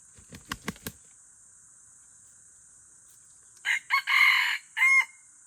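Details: Aceh junglefowl F1 hybrid crowing after a few low thumps like wing flaps: short harsh rising notes, a longer broad burst, then a final note with a thin clear whistle, over constant hiss.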